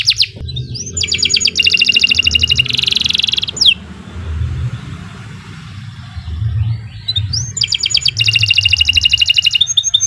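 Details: Canary singing, a long continuous song used as a master recording for training birds: two bursts of fast repeated high trills and buzzy rolls, separated by a few seconds of quiet with a low rumble throughout.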